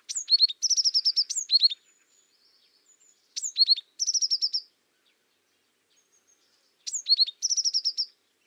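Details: Song of the azure tit: three strophes, each a sharp high downslurred note, a few falling notes and a rapid high rattling trill, separated by pauses of a second or two, with faint soft high notes between.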